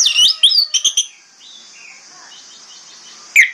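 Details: Morning song of an orange-headed thrush meant to prompt other thrushes to answer; a quick cluster of loud sharp whistled notes, then quiet with faint distant warbling, and a final bright note.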